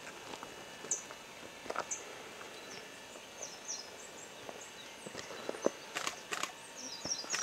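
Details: Booted racket-tail (Ocreatus underwoodii discifer) gives faint, very high, thin chip notes spaced a second or more apart, with scattered clicks and knocks in a quiet outdoor setting.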